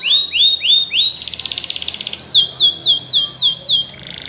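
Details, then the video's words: Loud Belgian canary song: looping rising whistles, then a rapid pulsing trill, followed by a run of strong descending swoops repeated steadily. "The Best Belgian Canary Ramblings !!"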